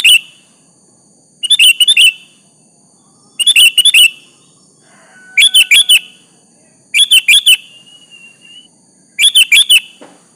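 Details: Sooty-headed bulbul in full energetic song, calling out to a rival so it will answer; six quick phrases of about four liquid, bubbling notes each, repeated roughly every two seconds, with a thin drawn-out whistle between two phrases.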